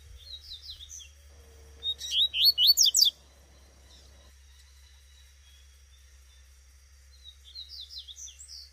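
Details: Female double-collared seedeater in the wild giving one burst of about six rapid, rising, slurred chirps, with faint softer chirps before and after and a steady high background tone.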